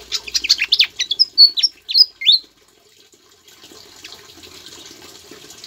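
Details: Javan flycatcher performing song that includes Ciblek (bar-winged prinia) imitations, used as a master bird for other songbirds; about two and a half seconds of fast chirps and loud curved whistles, then only hissing background noise.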